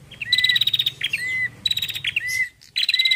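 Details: Female Bar-winged prinia lure call: four quick bursts of harsh, rattling high chatter, each ending in a thin, slightly falling whistled note, delivered almost without pause.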